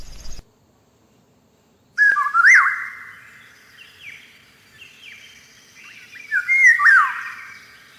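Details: Eurasian golden oriole singing in spring among blossoming cherry trees: after a silent gap, loud fluting whistled phrases that swoop up and down, followed by softer warbled notes and a second rich yodelling phrase near the end.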